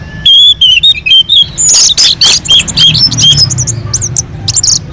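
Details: Orange-headed thrush singing steadily on a mountain slope, song used as a lure for other birds; clear level whistles open, then fast sharp chirps and twittering notes crowd together.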